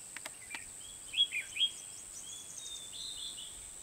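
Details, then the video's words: Red-whiskered bulbul used as a fight-trap decoy at An Bình, Hòa Bình, Vietnam; a brief burst of three short, bright warbled whistles, then thin, drawn-out high notes, over a constant high-pitched insect drone. "Bẫy đấu chim chào mào"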